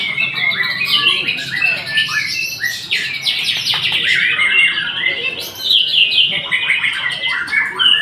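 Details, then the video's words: White-rumped shama singing a rich, fast run of clear whistles, slurred sweeps and sharp chirps, phrases changing continuously with brief pauses and no other sounds. "Murai memang TOP MARGOTOP"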